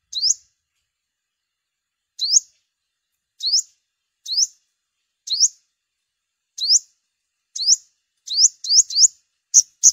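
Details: Olive-backed sunbird (yellow-bellied, five-coloured type), lure recording for trapping birds in migration season: sharp, high upswept chirps given singly at irregular intervals, quickening into a rapid burst near the end, with no other sounds.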